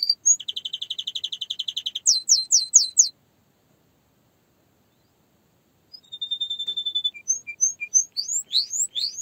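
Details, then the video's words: Canary singing: a fast, even trill of high notes, then a run of sharp rising chips. A three-second silence follows, then a long level whistle leads into varied chirps and upslurred notes. No other sounds. "Canary singing"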